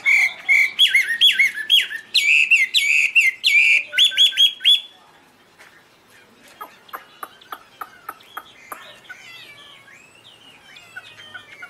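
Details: Chinese hwamei giving loud, pure whistled phrases in a fast, varied stream for about five seconds, followed by only faint, distant chips.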